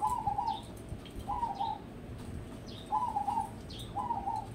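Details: Crossbred zebra dove bred toward song contests sings four evenly spaced, rolling coo phrases while a second bird adds thin, high, descending chirps between them.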